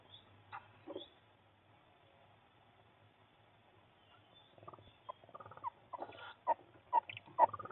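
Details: Female tawny owl in a nest box with her offspring on 20 April 2023, returning after 10am and chatting with them: soft, squeaky chattering notes, sparse then quick bursts of several a second, over low electrical hum; finding: tawny owl.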